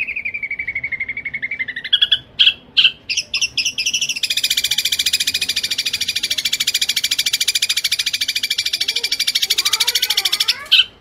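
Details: Caged-bird training recording of a Long-tailed shrike singing kuntilanak linked with sparrow-like phrases, fast and tight: a slow descending buzzy trill, a few loud scattered chips, then a long, even, very rapid rattling buzz.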